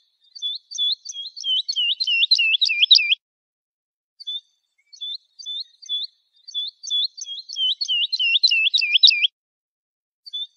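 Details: Lark singing, a recording meant for tutoring chicks: bursts of rapid, high, hooked whistles, each about three seconds long, separated by short silences and closing with a few isolated notes, on a clean background.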